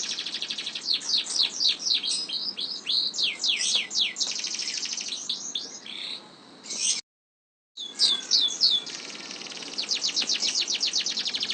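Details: Canary singing a long rolling song: rapid descending whistled sweeps repeated in quick series, then fast trills, a short silent gap near seven seconds, then more rapid sweeping notes.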